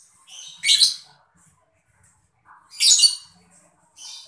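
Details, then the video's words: Lovebird chirping, mocca colour morph, played to spur other birds into song: harsh high chattering bursts repeated about two seconds apart, with softer squeaky notes between and quiet gaps. "lovebird mocca gemericik cocok buat mancing burung biar gacor"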